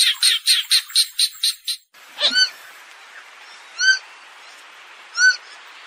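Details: Purple swamphen calling: a run of about seven rapid, harsh repeated notes, then a short break and three separate nasal, ringing honks spaced over a few seconds, with a steady hiss in the background.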